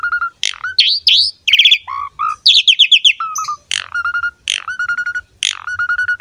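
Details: Asian pied starling singing a master song meant as a model for juvenile and newly caught starlings: loud squawky bursts, rising whistled slurs and rapid chip runs, then repeated pairs of a sharp upward note followed by a low flat whistle.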